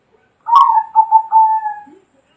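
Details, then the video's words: Bangkok-type zebra dove song, recorded 2020: a short burst then a series of soft, steady mid-pitched trilled coos running into a long level note, about one and a half seconds. "Suara burung perkutut bangkok 2020"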